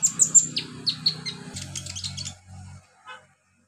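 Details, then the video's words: Olive-backed sunbird heard wild in its native habitat: a few clear, high descending whistled chirps, then a fast twittering run that fades out, with a low droning hum underneath. "KICAU KONIN ALAM LIAR HABITAT ASLINYA"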